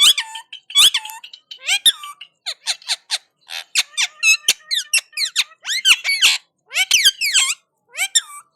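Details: An Indian ringneck (rose-ringed) parakeet, a talking parrot responding to another parrot, chatters in quick, high, squeaky bursts of mimicked speech mixed with sharp whistles and screeches, in a small room.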